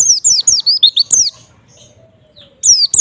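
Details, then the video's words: White-eye singing to provoke a response from other white-eyes, a fast run of high, thin down-slurred notes, a brief gap, then the series starting again. "semua jenis pleci pasti respon setelah dengar suara pleci ini"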